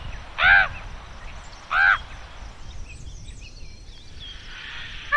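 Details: Two loud, harsh, stacked croaks about a second and a half apart from young common ravens in Côtes-d'Armor, Brittany, France, with faint higher chirps of other birds behind.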